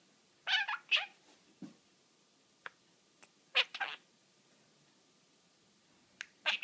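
A pet budgerigar chatters in short, scratchy, high-pitched bursts of mimicked talk.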